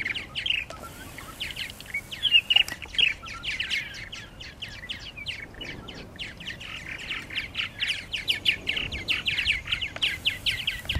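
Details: Several purple martins call around nesting gourds at Lake Mackintosh in Gibsonville, North Carolina. Busy, overlapping chirps and throaty chatter run through the whole stretch, with bursts louder and softer in turn.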